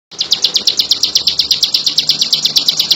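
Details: Bar-winged prinia in full song: a fast, steady series of high, sharp chirped notes, evenly repeated for the whole stretch with no pauses and little else audible.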